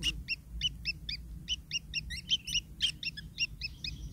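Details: Begging long-tailed shrike chicks, fed by their parent, repeat clipped scratchy chirps roughly every half second, becoming busier and overlapping toward the middle.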